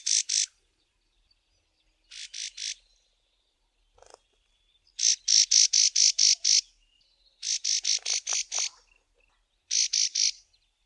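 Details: Karoo prinia in the southern Karoo early one morning, warning of a person walking past its roosting bush: harsh, high buzzy notes in rapid rasping bursts of three to seven, repeated every second or two.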